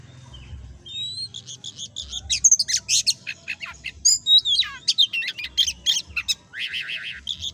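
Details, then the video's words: Oriental magpie-robin in vigorous ngobra song, a tutor recording for kacer birds: varied rapid chirps, sharp whistles and brief trills, closing with a buzzy warbled phrase. "Burung Kacer Gacor Ngobra l Masteran Untuk Kacer Ombyokan"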